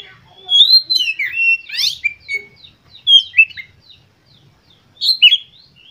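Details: White-rumped shama song to stimulate other birds: mixed whistles and a buzzy rising trill, then scattered short chirps and a final loud phrase.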